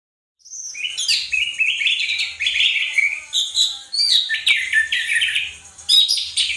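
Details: Orange-headed thrush in gacor teler style, sung for training caged birds: a dense, unbroken run of varied chirps, trills and sliding whistles, mid to high pitched, with no pauses after a brief silent start.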